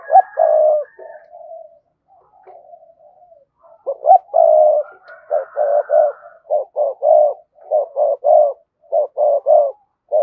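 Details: Spotted dove cooing to call another bird: after a few drawn-out soft coos, a steady series of short, low, hollow coo notes follows, repeated in pairs and triplets roughly every half second, with no other sounds.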